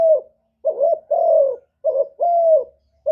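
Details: Lure spotted dove giving a one-ending call meant to provoke wild doves; gentle low hoots, a short warbling coo followed by a long, smooth, slightly falling one, repeated twice in a quiet setting.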